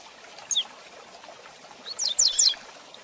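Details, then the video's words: Rusty-collared seedeater song in the fast 'tui tui zel zel' style, used for training young birds: two short bursts of sharp, high, descending slurred notes over a faint hiss. "Tui Tui Zel Zel de Fibra Canato Rápido Para Treinamento e Encarte"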